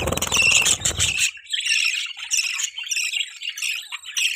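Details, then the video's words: Budgerigar mating sounds: a brief low rumbling noise at the start, then steady high, scratchy chirps and warbled twitters running without pause to the end. "budgie chirping sound|budgie sounds|budgie mating sounds"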